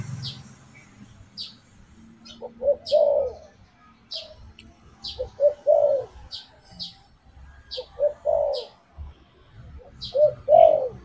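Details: Lure call of a spotted dove meant to draw other birds in, with phrases of short hooting notes ending in a longer arched coo, repeated about every two and a half seconds, against sharp high ticking clicks.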